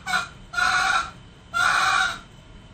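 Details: Male junglefowl, used as a lure recording for trapping wild junglefowl, giving two short, harsh, harmonic crows about one second apart, each lasting roughly half a second, over a quiet background.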